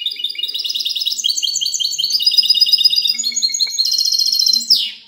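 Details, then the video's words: Goldfinch hybrid giving clean song (cante limpio), 19 March 2020: a continuous run of quick, sharp chirps and liquid trills, shifting upward into a rapid high rattle and ending in a downward buzzy slur. "mixto de jilguero cante limpio"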